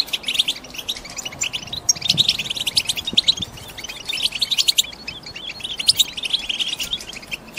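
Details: Caged female European goldfinches in breeding condition, ready to mate and lay eggs, calling to stimulate males to sing before the breeding season: dense, continuous high twittering and chirping from several birds at once, with rapid overlapping notes.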